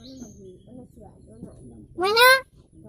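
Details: Hill myna mimicking speech and saying its own name: soft murmured voice sounds lead into one loud, rasping, nasal "moyna".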